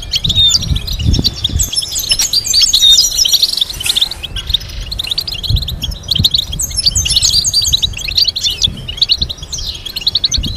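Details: Goldfinch song played to teach goldfinches complex melodies. Long stream of quick liquid twitters and rattling trills with a brief lull midway, plus some low rumble.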